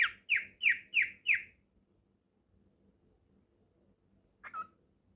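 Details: Pet cockatiel giving five loud, downward-sweeping whistled calls about three per second, then quiet room hum and one shorter rising note near the end.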